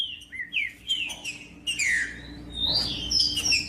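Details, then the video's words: Green-winged saltator song, used to stimulate other saltators to sing: slurred whistled notes, some falling and some rising, in short phrases, ending in a run of higher sweeping whistles, over a faint low hum. "COM TRINCA FERRO CANTANDO O MELHOR VÌDEO PARA ESQUENTAR TRINCA FERRO"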